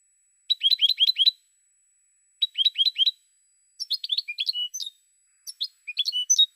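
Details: European goldfinch song from 2016: two quick runs of repeated high, bouncing notes, then looser phrases of varied twitters and slurred whistles, separated by short silences, over a faint constant high tone.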